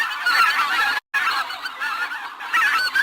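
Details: A flock of geese honks continuously, with harsh, nasal, overlapping calls and a brief silent break after the first second.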